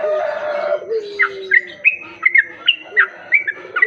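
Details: Sooty-headed bulbul sound used as bait to attract other bulbuls: a loud, buzzy low-pitched mix at first, then clear short whistled notes spaced under half a second apart, some rising, over a faint low drone.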